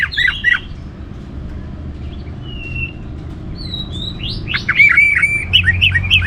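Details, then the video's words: Orange-headed thrush song, used to prompt other caged birds to sing: scattered whistles and a thin drawn-out note, then a louder burst of chirpy, slurred phrases near the end. "ANIS MERAH Gacor Untuk Memancing Burung Jadi NGeplong Bahkan Teler"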